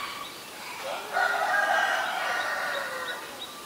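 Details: Black-collared starling at Ubon Ratchathani, Thailand, recorded 17 April 2022; a sustained harsh, raspy squawking phrase with buzzy overtones, preceded and followed by faint short chips.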